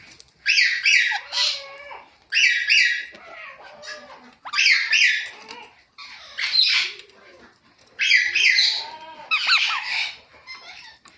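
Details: Natural chirping of a ringneck parrot: about six raucous, screechy bursts in eleven seconds, each made of two or three quick grating notes, separated by near-silent pauses.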